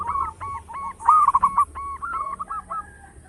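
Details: Loud local zebra dove singing as a lure bird: a continuous string of quick, clipped coo notes at a steady mid pitch, with a slightly louder burst in the middle, over a faint constant high-pitched hiss.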